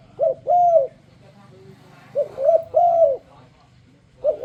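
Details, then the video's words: Spotted dove lure song intended to draw other doves into singing; two mellow phrases, a quick broken coo then a sustained, gently arched coo, with a third phrase beginning at the end over low background hum. "A turledove makes a beautiful sound."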